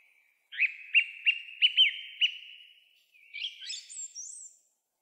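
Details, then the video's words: Song thrush singing from a tall pine top on the road to Krasnye Ozera, 3 April 2023, after 6 pm; six quick sharp repeated notes at steady pitch, then a thin, very high twittering flourish. "Выступление с высокой трибуны певчего дрозда N-ского перед жителями Заречного"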